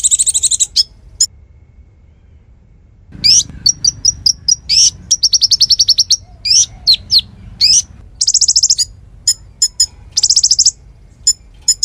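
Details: Konin singing energetically as tutor song for songbirds. A trill and chips are followed by a pause, then a rapid varied run of high chips, short buzzy trills and sharp notes. Faint low background noise is heard.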